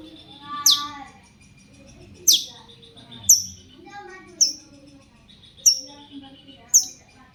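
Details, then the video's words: Shrike sound used to draw replies from other shrikes: sharp high downward-swept notes spaced about a second apart, with faint low background hum. "cendet gacor pancingan burung cendet agar cendet bunyi INI AMPUH BIKIN burung cendet lain NYAUT"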